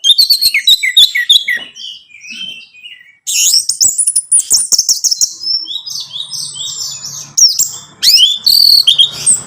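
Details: Song of an orange-headed thrush, played to make a caged bird sing; dense chattering phrases and bright whistles delivered almost without pause, with a faint low hum in the background.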